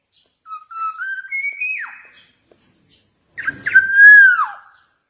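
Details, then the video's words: Javan black-naped oriole singing: a stepped whistled phrase climbing in small slurs and ending in a downward sweep, then after a pause a clipped note and a loud sustained fluted whistle that falls at the end. "KEPODANG EMAS JAWA GACOR"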